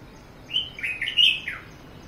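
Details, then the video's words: Red-whiskered bulbul on a balcony giving one short warbled phrase, a string of liquid whistled notes rising then dropping at the end, over faint background hiss. "The beautiful Red Whiskered Bulbul in my balcony"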